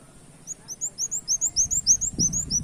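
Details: Lure song of a brown-throated sunbird mimicking a canary: quick, high, clipped upward whistles repeated several times a second, set against a rumbling low background with a brief muffled thud.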